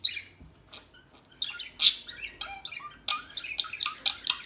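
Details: Birds chirping and tweeting, described as calm birds: a busy mix of short high chirps and squeaky notes, some harsher squawk-like bursts, overlapping calls coming in quick irregular bursts throughout.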